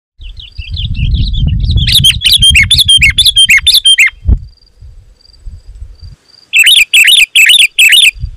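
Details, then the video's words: Sooty-headed bulbul singing loud, dense phrases used to lure wild birds: bright warbled notes in bursts, then repeated short chirps after a pause, with low rumbling handling noise in the first half. "Suara Burung KUTILANG GACOR, Rapat dan Lantang Burung Kutilang Liar Auto Emosi dan Mendekat"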